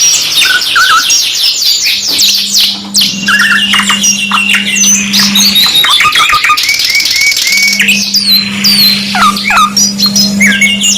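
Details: A 2-in-1 masteran canary song: quick repeated chip series, bubbling trills and drawn-out sweeping whistles layered densely, with a low electrical-sounding hum coming and going.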